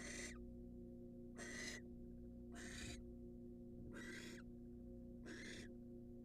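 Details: Five rough, hissing bursts, each under half a second, come from a wild barn owl incubating in a nest box, evenly spaced over a steady low drone.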